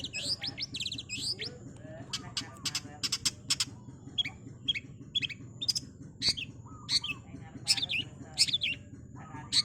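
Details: Long-tailed Shrike in a fast-paced training-recording song: rapid high chattering notes, sharp clicks and short whistled phrases run together in bursts, with a steady low hum underneath.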